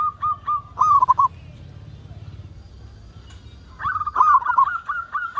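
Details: Local zebra dove in full song, meant to prompt other zebra doves to sing quickly: a few short coos and a rolling trill, a quiet stretch of low background hum, then a louder trill flowing into repeated cooing notes.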